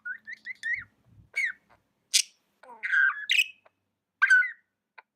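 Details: Tame budgie giving a few short rising chirps, then louder scratchy squawks and warbled notes, with faint low knocks early on.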